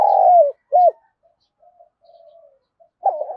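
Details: Spotted dove coo played to excite decoy birds: the tail of a rolling burry note, a short arched coo, then soft muttered notes before another phrase begins.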